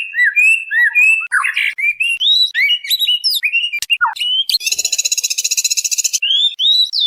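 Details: Calling white-rumped shama female summoning a male: a sequence of bright whistled slurs and sharp rising notes, then a sustained fast buzzy rattle of rapid pulses, ending with a few more whistles.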